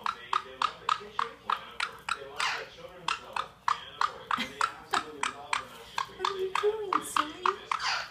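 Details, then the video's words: Pet caique parrot indoors, in a small room, plotting mischief as it works its way around an orchid pot toward breakables: a steady series of short, harsh, laugh-like bursts, roughly three a second, with a woman's voice talking to it. "Evil Laughing Caique Parrot"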